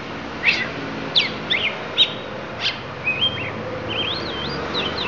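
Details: Lampung oriental magpie-robin from Indonesia singing isian: several loud, abrupt downward-swept notes spaced about half a second apart, then rising and zigzag whistled phrases at high pitch, over a low hum.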